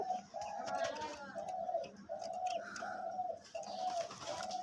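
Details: A captive, thick-voiced decoy dove gives low, hollow, rolling coos in steady runs, close to one per second, about nine or ten per series and calling repeatedly, while a man talks in the background.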